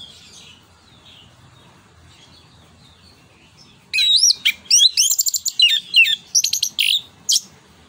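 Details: An orange-headed thrush sings ngeplong nembak style, as a lure to stimulate other birds. After a quiet start, an energetic stream of twisting high whistles, buzzy notes and sharp chips runs for several seconds.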